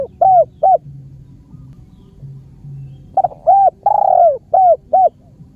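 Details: Spotted dove (Spilopelia chinensis), call.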